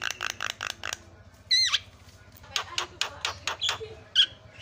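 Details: Javan myna lure calls meant to make other mynas call: short raspy bursts, a single looping whistled note, then more dry chattering pulses.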